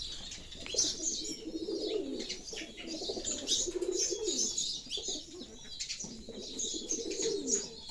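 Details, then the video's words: Low burbling pigeon coos come in three drawn-out bouts, each lasting over a second, while sparrows keep up bright, scratchy chirps overhead. "the sounds of pigeons"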